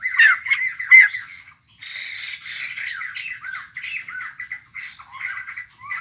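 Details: Newly caught wild white-crested laughingthrush, newly arrived and kept as a cage bird: harsh, chattering laughter of rising and falling notes in bursts, a short pause, then steadier rapid jabbering.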